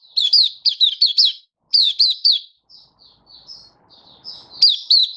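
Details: Malaysian white-eye singing on a warm, sunny Singapore day, 20 March 2023: clusters of loud, high, slurred tweets, a lull of quiet soft notes and faint rustling, then a return to bright chirps.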